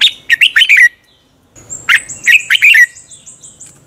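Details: Red-whiskered bulbul singing as a lure bird for song training: a fast run of warbled notes, a pause, then another bubbling phrase over a thin, high, repeated whistle from a second bird.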